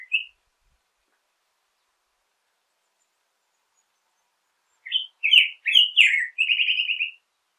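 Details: Black-headed grosbeak, a lone note followed after a long silence by a rapid burst of warbled phrases ending in a fast trilled series of rising notes, with faint thin high chips above.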